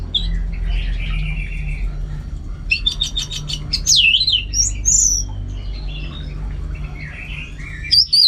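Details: Caged orange-headed thrush (anis merah) in a home setting linked to songbird competition training: a fast rattling trill, then loud looping, wavering whistles and buzzy phrases, with a steady low background hum.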